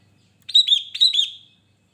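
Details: Chatty Sooty-headed bulbul song: a clear burst of four quick liquid whistled notes in two pairs, slightly descending and bubbling, lasting about one second against near silence.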